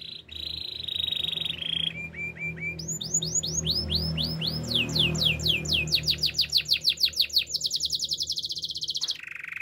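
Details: Training song of a canary over faint low background music. A buzzy trill and short chips lead into a long, accelerating series of high swooping whistles, ending on a lower rolling trill.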